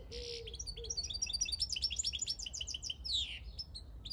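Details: Wild European goldfinch, 2022, pouring out a fast jumble of bright chirps and liquid twitters, starting with a buzzy note and ending in a sweeping descending trill, over faint low background hum.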